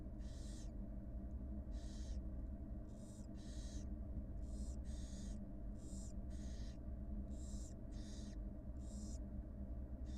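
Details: Wild barn owl mother feeding her two newly hatched nestlings at the nest, caught on a live camera: harsh, breathy hissing bursts, about eleven in ten seconds at uneven intervals, over a steady low electrical hum.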